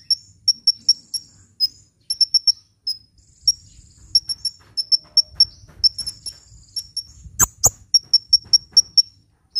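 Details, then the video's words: Sunbird in full voice, meant for luring birds and stirring silent birds to sing: rapid high-pitched chips in irregular clusters, with a brief sharp click burst near the end and low murmuring noise. "SUARA BURUNG KOLIBRI GACOR‼️ [bisa buat pikat & yg males bunyi"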